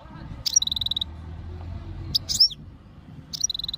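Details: Meqnin, the European goldfinch, recorded in Jijel, Algeria, in breeding condition. Bright note-and-rattle phrases open and close the recording, with a couple of sharp chirps between them and a low hum underneath.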